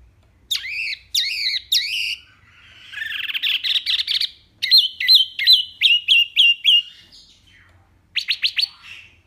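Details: Tembakan-style singing of a wambi mini: three sharp high notes, a buzzy scratchy passage, then a rapid run of bright chirps and a closing burst of quick notes.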